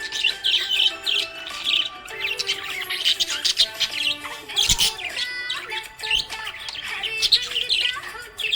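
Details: Cheerful budgerigar warbling continuously, with scratchy high chirps, squeaky trills and quick clicking bursts, while music plays softly in the background.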